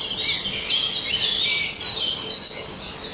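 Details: Common kingfisher pair at a nest-wall camera, early morning of 30 May 2012, the male having delivered a fish to the perched female. Continuous thin high twittering with brief sharp peeps roughly every half second.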